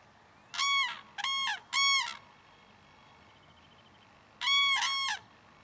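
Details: Common cranes, a pair of adults with their juvenile, crying loudly in the early morning to draw attention to themselves. Three rich, trumpeting calls come in quick succession, then a double call after a pause.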